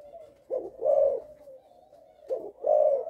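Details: Caged spotted dove of a Malaysian line, a sire tested at home, its coo called stuttering in the first three notes: two low hollow cooing phrases, each a short broken note followed by a longer steady coo, in a quiet room.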